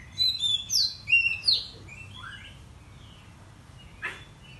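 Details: Oriental magpie-robin singing an excited morning lure song meant to provoke tail-spreading: a quick run of loud, clear whistles and slurred notes over about a second and a half, then softer trailing notes and one sharp click.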